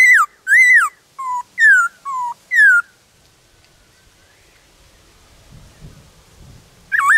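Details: Wild black-throated laughingthrush song from the forest. A quick string of six arched, falling and low level whistles fills the first three seconds, followed by quiet rustling and a final whistle.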